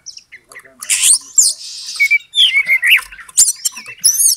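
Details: Fighting lure of an Oriental magpie-robin (kacer), meant to raise a rival's temper. Harsh raspy squawks mix with fluty slurred whistles and downward swoops in a busy, uneven stream.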